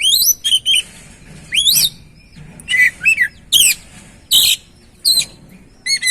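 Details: Lure song of an oriental magpie-robin meant to restart singing in a stalled or stressed bird: bright whistles and rich warbled phrases, some rising and some falling, in bursts roughly every half second, with soft background hum.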